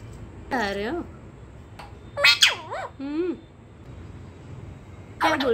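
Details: Indoor pet parrot described as quarrelsome, scolded over a broken cup. It makes warbling, harmonic notes that bend up and down, then a sharp squawk at the end, interspersed with Hindi speech.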